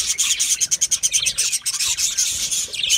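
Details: Budgerigars eating a seed mix, with busy high chirps and chattering warbles running almost nonstop above a dry rubbing, husking sound of seeds.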